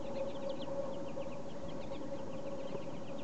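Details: A flock of Pine Siskins, with a few American Goldfinches mixed in, softly calls while feeding on thistle seed on an unusually cold, snowy day: a steady stream of quick, thin, high slurred notes over a low rumble and a constant mechanical hum.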